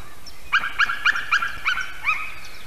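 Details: White-tailed eagle pair calling while visiting their nest at Durbe, Latvia, late morning on 15 May 2021, female first, then male; a quick series of about seven sharp, yelping, harmonic notes spaced roughly a third of a second apart, with faint songbirds behind.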